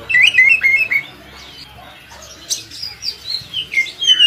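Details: Oriental magpie-robin (kacer) singing energetically, used as a master recording to train other kacer birds; a rapid run of whistled, sliding phrases, then a pause, then more varied sharp notes repeated about every quarter second.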